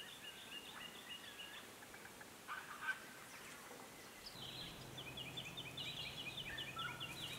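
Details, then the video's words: White-naped Honeyeaters visiting a birdbath in the Capertee Valley, New South Wales, between late May and early October 2018; rapid runs of short, high, clipped notes, a brief burst midway, then a low steady hum underneath. "Up close with winsome White-naped Honeyeaters"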